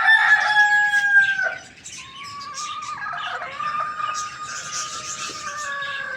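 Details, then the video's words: Morning crowing of a rooster: a strong crow ends with a falling drop, then a long, steady, lower crow carries on for several seconds, with busy chirping of small birds in the background. "Rooster morning crowing sounds"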